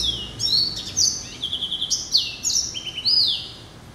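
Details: Hybrid finch from yellow-eyed canary and timbrado parents, hatched November 2012, giving sweet high whistles, arched notes and fast trilled rolls.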